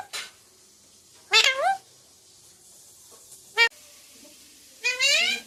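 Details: Pet talking parrot, trained on words like mummy and papa, gives a sharp click, then a loud rising-falling word, a brief clipped syllable and a longer upward-gliding utterance, in a quiet room.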